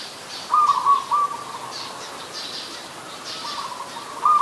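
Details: Adult zebra dove, Ubon Ratchathani, Thailand, late December 2020, delivering a quick burst of rippling staccato coos, then quieter trills, and a fresh phrase at the close, while other birds chirp faintly higher up.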